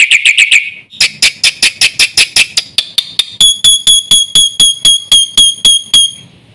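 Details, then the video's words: Black-winged myna, 'gacor full isian' song meant as a lure for training mynas: a quick squeaky burst, then a steady string of sharp clicks that turns into clear, pure, evenly spaced ringing whistles. "BURUNG JALAK PUTIH GACOR FULL ISIAN JUARA"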